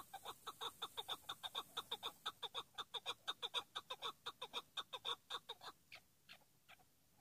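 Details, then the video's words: A chukar partridge, the kind kept for decoy partridge hunting, delivers a fast, even series of loud, clipped chuck notes, roughly two each second, which thin out and fade over the final seconds. "keklik sesi dinle sadece pat"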